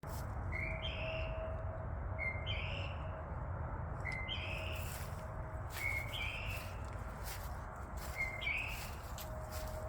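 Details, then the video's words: Birds calling outdoors at night just past 11:15 pm on 14 February 2024: short upward-sweeping chirps repeated about every two seconds over a steady low rumble of background noise. "Nighttime bird calls on Valentine's Day"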